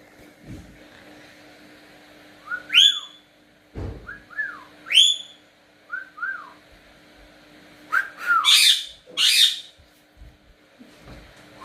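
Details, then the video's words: Indoor pet cockatiel trading whistles with its owner. Short rising and falling whistled notes mix with sharp, rising harmonic calls. Louder buzzy, screechy bursts come near the end, with a few faint thumps in the room. "Переговоры с попугаями 😀 а вы умеете свистеть?"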